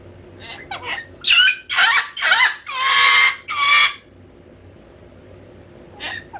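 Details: Pet cockatoo getting loud when bored, letting out a run of harsh, raspy screams, five long grating blasts close together, then a pause and a fainter short squawk at the end.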